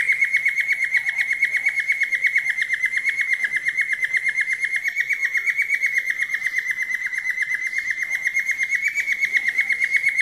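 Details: Falk bird song, recorded for daily bird training: an unbroken, very regular buzzy trill held at one pitch for over ten seconds.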